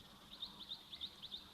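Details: Sombre Greenbul calling in forest beside a waterhole at Tembe where elephants are drinking, on 18 December 2024 in the afternoon: high, thin whistled notes rising and falling, about three a second, over a soft background hum.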